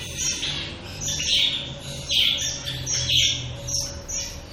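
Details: Several shaft-tailed finches calling: short, high, bright notes with a slightly nasal edge, repeated roughly once a second in an uneven rhythm, with a faint low hum underneath.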